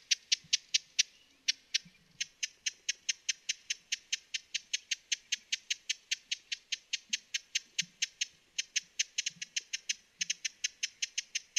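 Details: Broad-billed hummingbird in a long, fast series of dry, high chips, about two to three per second with brief breaks, over a quiet backdrop.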